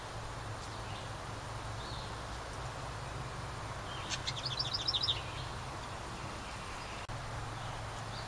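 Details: Somewhat distant house wren near its nest in a ceramic birdhouse at a cabin in summer, a brief run of rapid high repeated notes standing out from a broad hiss of background noise.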